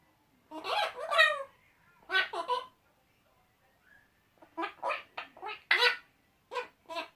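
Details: Two male eclectus parrots chatting to each other, trading harsh, raspy squawks and chuckling, laugh-like bursts in quick clusters of two to four, with short pauses between exchanges.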